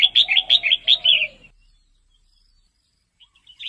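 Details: A female red-whiskered bulbul, her voice used to encourage males: a fast run of about seven bright rising-falling notes in quick chatter, silence, then faint chirps.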